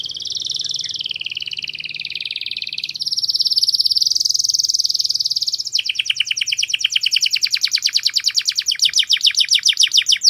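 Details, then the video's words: Canary singing a masteran (tutor) song with a very clear voice: dense rolling trills that shift pitch and hold steady, then a fast run of sharply repeated chopped notes, loud and continuous. "MASTERAN KENARI SUARA PALING JERNI"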